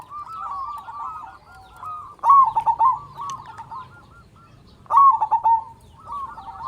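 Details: Local zebra dove, a lure to stir other zebra doves into calling and raise their mating drive: loud stuttering cooing trills at mid pitch, phrases about every two and a half seconds, with softer rolling coos between them.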